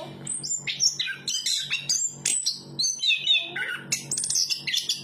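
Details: Song of a chestnut-capped thrush, with quick successive phrases of bright whistles, descending slurs and chattery notes packed closely together. A soft background hum is present.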